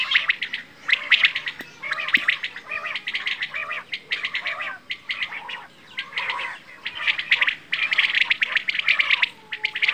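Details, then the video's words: Dense, continuous chatter of quail (bedana) calls: rapid bursts of sharp high chirps running almost without pause, with a short break before the chatter resumes. "Quail | Bedana | batair ki awaaz"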